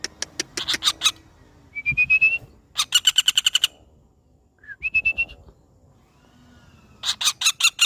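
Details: A pelatuk bawang, or common flameback, utters several rapid rattling series of dry, clipped notes, separated by short rising whistles and a silent gap.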